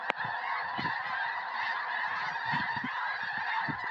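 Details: A huge flock of snow geese settling into a Tennessee field in January 2026 ahead of a forecast snowstorm, filling the air with a continuous roar of overlapping nasal honks.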